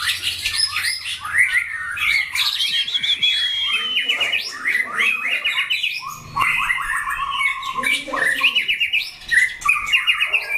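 White-rumped shamas pour out rich, fast, varied song of clear whistles, trills and harsh chatters, with several birds overlapping without pause.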